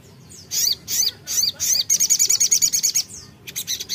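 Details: Crimson sunbird (sogok ontong) singing keenly to a rival: four loud, high, swooping chips, then a quick, evenly pulsed trill of very high notes, and a short closing burst.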